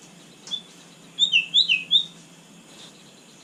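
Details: White-rumped shama singing at night: a short burst of four or five sharp high whistled notes, with a faint note before and a rising note at the end, over steady low background hiss.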